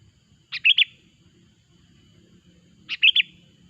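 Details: Sooty-headed bulbul lure sound for catching bulbuls: two matching short phrases about two and a half seconds apart, each a sharp note followed by a bubbling two-part warble, with a quiet background.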